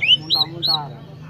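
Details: Short phrase from an Oriental magpie-robin, locally called kacer: three quick rising whistles, the later two carrying a buzzy, rasping edge, over a low steady background hum.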